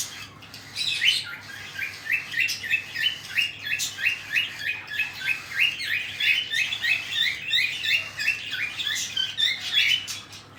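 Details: Cockatiel parents feeding their chicks; the young keep up a fast, steady stream of high, rising chirps, roughly three per second, continuing for about ten seconds with slight variation in loudness.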